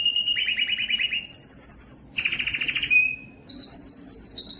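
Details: A yellow canary sings rapid rolling trills, jumping between low and very high pitches, with a brief clear whistle in the middle.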